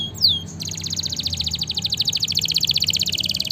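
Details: Canary song played to train and stimulate lazy canaries: a high falling whistle, then a long, fast, even rolling trill held for about three seconds.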